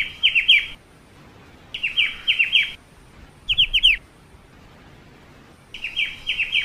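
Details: Song of the black-winged starling (ciu): short clusters of clear, falling chirps delivered in quick runs of three to five notes, pausing a second or more between clusters.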